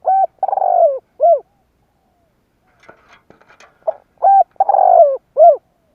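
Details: Spotted dove lure call: a coo phrase ending in an arched note, a pause with faint clicks and rustles, then another full phrase with short notes, a long falling coo and a rounded closing coo.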